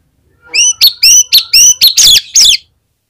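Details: Oriental magpie-robin in full, constant song, used as a lure to prompt other magpie-robins to sing: about seven loud, harsh, buzzy notes mixed with sharp whistled elements. They come in quick succession over two seconds, followed by silence.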